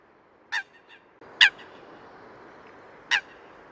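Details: Eurasian coot (Fulica atra) recorded in the wild: a few short, sharp, nasal call notes, one softer and two louder, with faint small notes between and steady background hiss.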